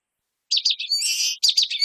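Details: High-pitched common waxbill song: rapid chipping notes lead into a sustained harsh buzz, then more quick clipped twitters, all in one continuous phrase after a brief silence.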